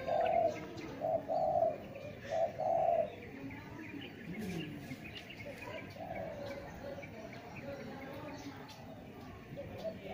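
A spotted dove gives soft, low, hollow coos in a quick phrase of four notes over three seconds, then falls quiet against a faint rural background hiss.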